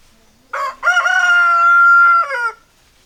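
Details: Rooster crowing: a short opening note, then one long, loud, level crow held for over a second and dropping at the end, with a faint hum in the background.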